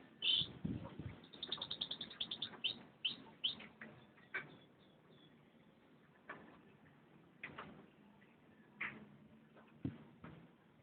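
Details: A canary opens with a bright high chirp, then a rapid, even trill of high, pure notes, then thinner notes that fade. Sparse single sharp chirps follow every second or so until the end.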